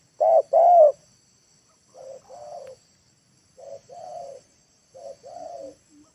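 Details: Lure spotted dove calling to bring wild birds down to the ground: a loud short-long coo pair, then three softer, more distant repeats of the same paired cooing pattern, roughly every 1.5 seconds.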